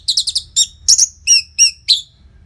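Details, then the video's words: Loud orange-headed thrush song with short gaps, meant to get stalled caged birds singing: a quick rattle of four notes, then a string of drawn-out, wavering whistled phrases, each about a third of a second apart. "Pancingan & Masteran ANIS MERAH Gacor Jeda Rapet Suara Keras || Burung Macet Pasti Ikutan Bunyi."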